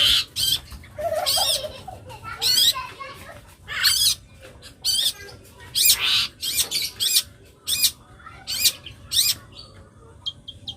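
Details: Young long-tailed shrike in lively full song: short bursts of scratchy, buzzy chatter and sharp notes, repeated about once a second with brief gaps, faint music in the background.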